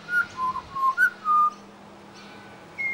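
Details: Pied Butcherbird singing in suburban Brisbane, Australia, copying local sounds: a quick run of fluting whistles, slurred up and down, then a long steady whistle, a pause, and one higher note, with a faint background hum.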